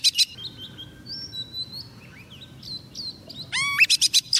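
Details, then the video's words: Female Oriental magpie-robin decoy calling a male, with thin drawn-out whistles over a low hum, then a loud run of rising sweeps and sharp repeated chips at the end. "Choè than mái mồi hót gọi trống cực hay"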